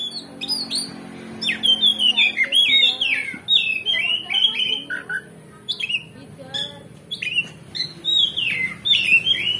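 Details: Kacer, or oriental magpie-robin, in full gacor ngeplong song used to bait others into answering and fighting: repeated downward-slurred whistles and varied chirps, bursts spaced under a second apart, with a faint hum.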